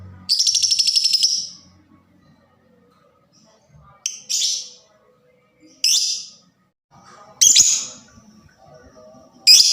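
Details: Lovebird presented as a fighter whose fast voice stirs other lovebirds to call: harsh, buzzy high screeches, one long rattling burst followed by shorter separate shrieks spaced a couple of seconds apart.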